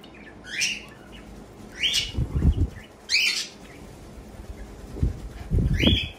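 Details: A female pet cockatiel eats her morning breakfast, giving short, bright chirps spaced a second or two apart, with soft thumps and flutters between.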